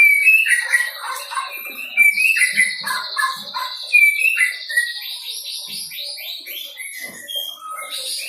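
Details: White-rumped shama just out of the juvenile stage, learning to deliver song with borrowed material: jumbled whistles and sharp notes, a long buzzy trill, then descending chattering series of rapid notes.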